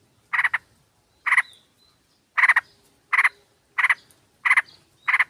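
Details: Female sooty-headed bulbul calling to a male, a lure for other birds. Rasping chattered bursts of two or three quick notes, repeated about every half to one second.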